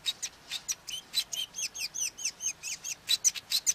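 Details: Male Cape weaver singing: a steady run of short, bright chirps and downslurred squeaks, about two or three each second, with a few sharp high whistled notes near the end.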